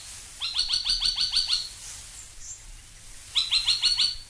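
A Spine-tailed Logrunner gives two quick bursts of loud, sharp, down-slurred notes, about six a second, seven in the first series and four in the second.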